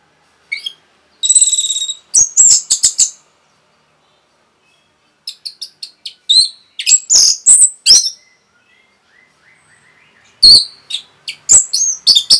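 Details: Orange-headed thrush giving a fast, packed song to excite other birds: high, shrill, varied chirps and slurred whistles in clusters, a harsh rasping note early on, and loud, tumbling phrases toward the end.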